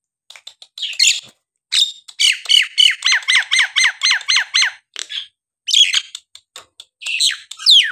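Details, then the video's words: Nias hill myna in full, energetic song, used to stir quiet birds into singing: a fast run of about a dozen harsh, squawky, repeated notes, framed by sharp chips and ending in a rising, scratchy phrase. "jalak nias gacor!!"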